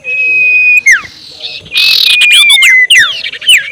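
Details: Ashy tailorbird ngekek call, a lure to provoke rivals: a long flat whistle, a sharp drop, then a loud buzzy burst followed by quick looping whistled notes.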